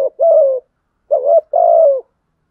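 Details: Provoking coo of a decoy spotted dove: a clipped phrase, a pause, then a full two-note phrase with a short warbled start and a long, steady, gently falling coo in silence.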